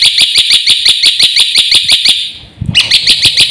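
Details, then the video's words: Black-winged myna pouring out rapid strident notes in steady pulses, about five per second, then a short low knock before the shrill series resumes, in its energetic filler-song style. "suara jalak putih GACOR FULL ISIAN"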